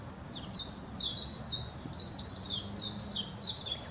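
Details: Warbling white-eye singing in Hashimoto, Wakayama Prefecture, Japan, on 26 June 2021, recorded with a Nikon Coolpix P900: rapid, high, twittering warbled phrases of quick falling notes, delivered in a continuous run over a steady thin high hum.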